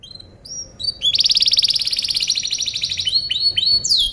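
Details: Master recording of canary song for tutoring birds: short rising whistles lead into a long, loud, rapidly pulsing trill, ending with sweeping slurred notes.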